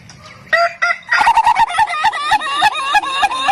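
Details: Ayam Ketawa rooster crowing: two short opening notes, then a quick run of about a dozen clipped, rhythmic, laugh-like notes that rise and fall slightly in pitch, with a rich harmonic tone.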